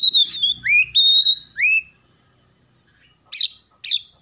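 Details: Oriental magpie-robin singing sparrow-style material: clear whistled notes, some rising steeply and some held level, then a pause and two sharp, high chirps.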